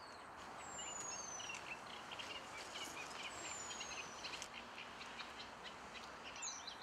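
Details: Eurasian penduline tit completing its nest at Källtorp wetlands outside Falkenberg, 2013: two long, thin, high whistles, each falling gently in pitch about two seconds apart, a third short one at the end, with faint twittering and steady hiss.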